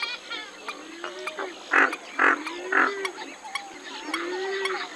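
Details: Western swamphen calling with low, drawn-out nasal notes broken by three loud, harsh bursts in a row, plus fainter chattering calls behind.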